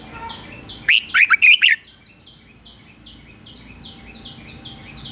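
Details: Singing decoy red-whiskered bulbul, meant to provoke wild rivals: one quick phrase of four or five loud, liquid, slurred whistles, surrounded by faint repeated high chips from another bird and a steady electronic-like whine.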